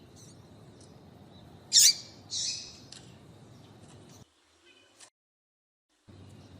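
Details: Female double-collared seedeater calling to stir a male into singing: two short, harsh, high chirps close together, then a silent gap and a faint low hum of background noise.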